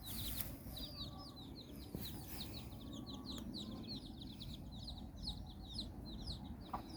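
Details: Mother hen and her nine chicks exploring outdoors in Bizkaia, Basque Country. Thin, high downward peeps chatter continuously over a strong low rumbling background noise.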